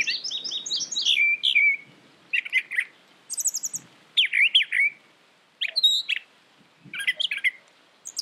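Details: Brown thrasher singing a run of varied phrases: rapid descending chirps at first, then short slurred, buzzy bursts separated by brief pauses, with high squeaky notes in between.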